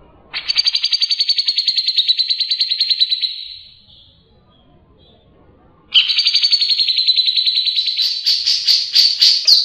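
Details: Fast ngebren song of a grey-cheeked bulbul, clear and lively, used to train contest birds: a long, even rattling trill, a two-second silence, then another run of rapid notes ending in sharper, higher chips.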